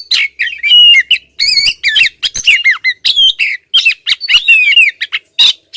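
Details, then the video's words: Female Oriental magpie-robin calling without letup at a male. Rapid chatter of harsh squawks, short whistles and falling slurs, tightly packed throughout. "suara kacer betina ngotot bikin si jantan konslet"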